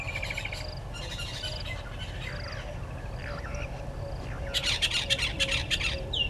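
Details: Red-billed hornbill at a nest tree by a waterhole on a game reserve in the Sabi Sand, South Africa, in the morning; mixed bird chirps early, then a burst of rapid repeated clucking notes near the end over low background rumble.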